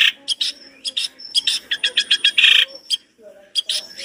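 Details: Long-tailed shrike giving a complete masteran song of rich imitations: a fast sequence of loud chips rising into a buzzy harsh burst, a brief silence, then renewed sharp notes.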